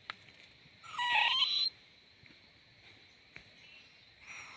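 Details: Young owl letting out a single hoarse, rasping screech just under a second long, followed by near quiet with a few faint ticks and a soft hiss at the end.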